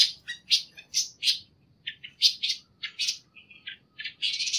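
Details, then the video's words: Panca warna song for training birds: quick bursts of high chirps and twitters with brief pauses, a short thin whistle, ending in a sustained buzzy trill. "masteran suara burung panca warna"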